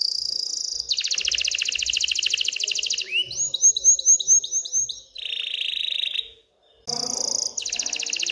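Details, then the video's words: Canary in excited song for encouraging females to mate and build a nest. A long dense high trill, then a row of loud upswept whistles, a lower buzzy trill, a pause and more fast trilling. "تغريد كناري هائج لتحفيز الاناث على التزاوح وبناء العش"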